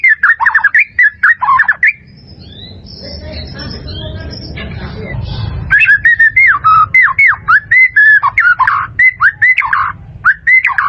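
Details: Caged white-rumped shama singing for bird training: rapid varied whistled phrases and sharp notes, broken in the middle by a few seconds of low rumbling noise, then resuming with quick repeated whistles.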